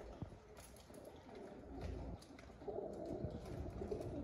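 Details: Pigeons murmuring deep, gurgling coos in quick repeated pulses, growing louder toward the end, with a few knocks and a low hum behind.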